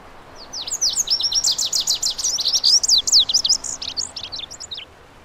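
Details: Lazuli bunting singing a brisk, high, sweet phrase: a steady run of sharp down-slurred notes that speeds into jumbled twittering, then ends with a few spaced chips, all about five seconds long in a quiet setting.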